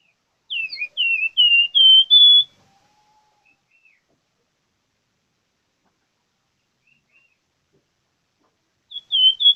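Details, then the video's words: High whistled song of a plamboyan bird in full voice (gacor): a quick run of five slurred notes climbing toward a steady final whistle, followed by silence and the start of another phrase. "BURUNG PLAMBOYAN Gacor"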